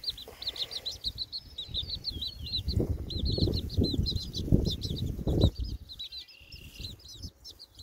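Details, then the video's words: Chicks out of doors in wind: a dense chorus of shrill, bouncing peeps, many per second, over loud blustery wind noise that eases near the end. "Cute Baby Chicken Videos - Outside on a Windy Day"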